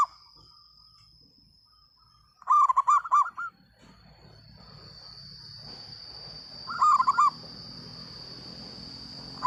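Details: Loud song of a local zebra dove: two phrases of quick, ringing, looping coos about four seconds apart, with a steady high whine and faint rustling background noise in between.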